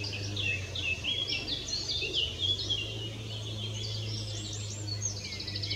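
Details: Long-tailed tit calls from Spieckern in Wuppertal Beyenburg, 2021: rapid, scattered high-pitched tsee notes and quick descending chirps, several birds calling over one another nearly continuously, with a constant low droning hum underneath.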